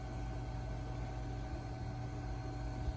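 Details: A steady low mechanical hum like an engine or appliance, with no animal voice.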